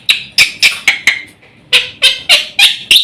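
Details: Harsh, squawky notes from a black-winged myna on a master recording made to provoke birds, given about three times per second in two short bursts with a brief gap between them.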